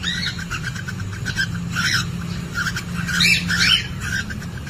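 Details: Cockatiels inside a breeding nest box during egg laying, captured by a CCTV camera, mating calls: busy short chirps, then loud rising squawks near the end, over a steady low hum.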